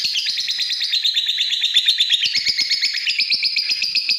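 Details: Lovebird singing a fast, continuous chattering trill of high, buzzy rasping notes, about three per second, shifting slightly upward partway through with no other sounds present.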